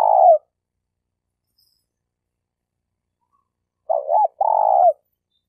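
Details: Malaysian spotted dove used as a trapping lure: the tail of one long purring coo, then a long pause, then a looping wavering note and a drawn-out vibrating coo that drops at its end.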